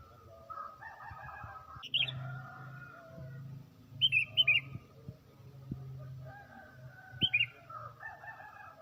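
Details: Morning song of a tame, freely singing sooty-headed bulbul, played as a bird-catching lure: brief chirpy phrases of two to four bright notes at irregular intervals, with softer warbling and a continuous low droning background.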